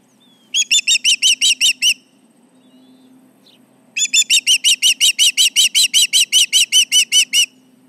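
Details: Osprey at the Charlo nest calling as intruders come around, 11:30am MDT on July 29, 2019: two bursts of sharp, evenly spaced whistled notes, about seven and then sixteen, with a steady low hum underneath.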